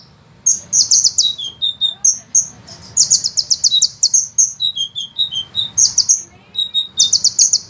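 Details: Small sunbird singing fast, dense phrases meant as master song for cage birds, with long rolling shots; rapid high trills interleaved with brief lower whistled notes, the series running almost continuously over a quiet background.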